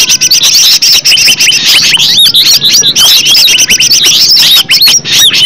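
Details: Green leafbird (cucak ijo) song used as a lure to make other leafbirds sing: dense, rapid chattering of arched whistled notes and fast slurred phrases, continuous and high-pitched, with occasional brief gaps.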